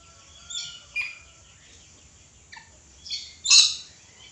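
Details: Red lory calling with a series of four harsh, grating screeches at uneven intervals, the last the loudest, in otherwise quiet surroundings.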